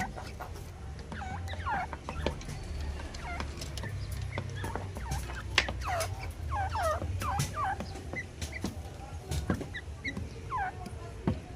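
Grey Francolins give harsh, ringing notes that bend upward and come in quick, uneven bursts over a steady low rumble.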